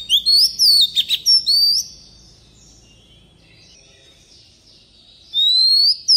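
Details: Oriental magpie-robin singing in a wild-style 'forest voice' used to tutor young birds: clear rising and falling whistled phrases for two seconds, a quiet pause, then another bright upslurred whistle.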